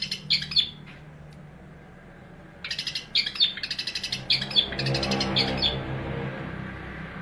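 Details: Eight-month-old male long-tailed shrike singing for tutoring other shrikes: short clipped chattering bursts, a silent gap, then dense rapid scratchy notes over a low humming background.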